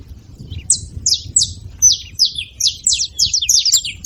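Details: {'text': 'Saffron finches calling: a faint note, then an accelerating series of sharp, high, downslurred chirps with a thin whistle mixed in, over low background noise.'}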